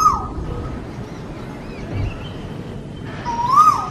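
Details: Asian koel calling in a garden: a clear whistled note sliding around a mid pitch at the start, then a second, louder swelling whistle near the end, over steady background hum and noise.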